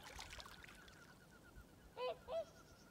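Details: Swans calling at sunrise as the sun rises above the horizon: after a quiet stretch of soft background hiss, two short nasal honks sound about a third of a second apart near the end.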